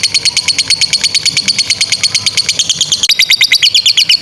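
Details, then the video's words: Lovebird ngekek, a long chattering trill used to train young lovebirds and ones that have gone quiet; steady, rapid high notes about three per second, with a short break and a pitch shift near the end. "SUARA 16a love bird ngekek PANJANG INI Cocok untuk Masteran love bird paud dan Macet"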